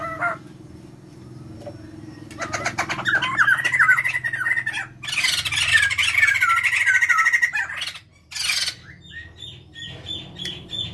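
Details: Caged white-crested laughingthrush pair, male and female, used as a lure: loud rattling chatter with warbled whistles building into a raucous cackling chorus, over a low steady hum.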